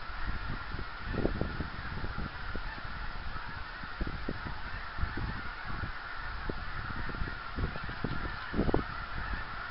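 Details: Geese on the wing, 24 January 2010, giving repeated short honks at an irregular pace, some doubled, against a constant airy rumble.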